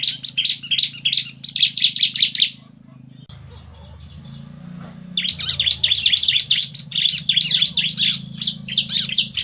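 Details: Bar-winged prinia pair, male and female answering each other: rapid runs of bright, high, scratchy chirps repeated about two or three times per second, a brief quiet gap, then a long fast chattering series over low rumbling background noise.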